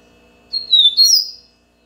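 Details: Captive Double-collared seedeater from a breeder of Brazilian songbirds, singing the baiano style of song: a short phrase of high clear whistles that sweep downward, then a brighter rising-and-falling whistled flourish, over a quiet low hum.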